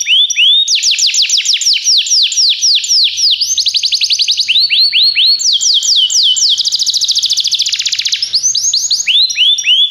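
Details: Belgian canary singing, used for song training: loud high song of fast falling slurred notes repeated in runs, shifting into rapid buzzy trills and back, nearly continuous for ten seconds.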